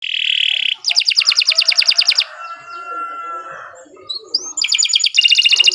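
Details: Canary song: a sustained buzzy trill, then a fast repeated rattle of syllables, a quieter warbled stretch with thin whistles, and a closing burst of rapid rolled notes.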